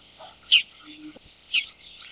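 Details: Bull-headed Shrike (Lanius bucephalus) giving two harsh, scratchy call notes about a second apart, high-pitched and noisy, with a quiet background.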